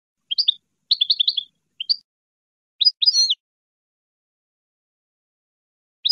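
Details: European goldfinch singing a Parva song for tutoring juveniles: short clustered twitters and tinkling notes, a brief buzzy flourish, then silence and one final chirp.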